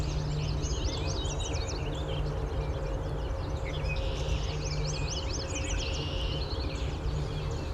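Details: A Tennessee warbler in mid-July woodland west of Toronto, Ontario, sings two bursts of high, rapid, staccato chips running into a dry trill, over a steady low rumble and hum, with other birds and a cicada around.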